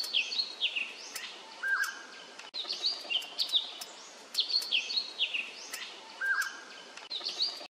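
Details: Male Indochinese blue flycatcher recorded 13 May 2023 at an arboretum in Khao Yoi, Phetchaburi, Thailand: bright high whistled phrases of rapid slurred notes, repeated about every two seconds, with a lower short note between phrases.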